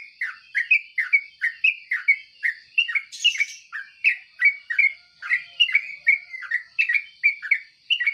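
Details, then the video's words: Morning chatter of a yellow-vented bulbul: a long, even string of brief dropping chirps about three each second, with a sharper high burst near three seconds and a constant faint high-pitched buzz behind. "suara trucuk di pagi hari"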